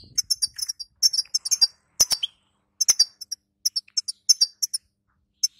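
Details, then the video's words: Female European goldfinch singing, used as training song for a male after moult; rapid bright twittering bursts of high chips, broken by two sharp clicks and short pauses, ending in sparse single notes. "بتبته وستسته للحسون الضعيف"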